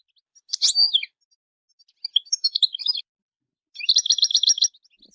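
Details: Goldfinch singing: three bright twittering phrases of quick high notes, the last a rapid tinkling trill of evenly repeated notes, with short silences between phrases and a clean, quiet background.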